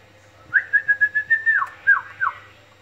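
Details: Baby lovebird being hand-fed with thick food, in captivity: a quick run of about eight short, bright chirps on one high pitch, then a few sliding notes that fall away, with a low hum behind.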